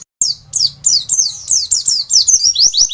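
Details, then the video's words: A white-eye (pleci) sings a long, fast, unbroken run of very high, thin, down-slurred "wit" notes, about four per second, with a faint low rumble beneath. "pleci nembak sejaluran....wit wit panjang"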